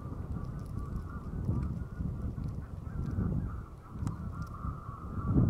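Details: Mass migration of Common cranes over Strabrechtse heide on 5 March 2013: a continuous layered chorus of trumpeting calls from a large flock, steady and unbroken, over heavy low wind noise.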